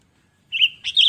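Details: Sooty-headed bulbul singing, used as a lure to attract other bulbuls. After a silent start, there is a short, bright whistled phrase of slurred notes. Nothing else is heard.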